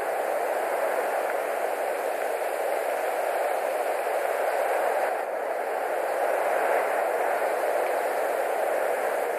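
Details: Steady broadband rushing of wind or rain noise at an eagle nest in Latvia, unbroken for the whole stretch; no animal calls.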